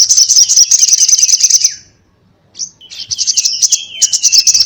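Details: Sogon (little spiderhunter) calling in fighting 'ngobra' style: a fast shrill chatter, a brief silence, then renewed chatter over a long, slowly descending whistle.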